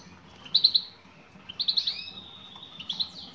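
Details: Female European goldfinch calling to a male: short bursts of three or four high tinkling notes, repeated three times with gaps, over quiet low background noise.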